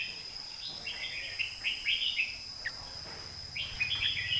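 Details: Red-whiskered bulbul, southern Thai master song style, softer and more distant: a string of short slurred warbling notes, a pause, then more warbled phrases, set against a steady high-pitched hum and low background noise.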